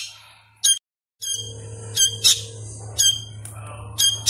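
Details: Sooty-headed bulbul chick, hand-fed and still learning its call, gives a few sharp high squawks separated by pauses over a noticeable low hum and some background rustle.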